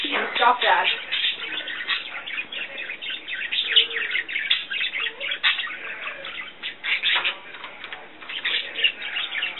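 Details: Two pet budgerigars sing, play and twitter indoors, keeping up a busy stream of scratchy chirps, warbles and squeaks while a person talks; the owner thinks the female squawking might be mad at the male for ignoring her.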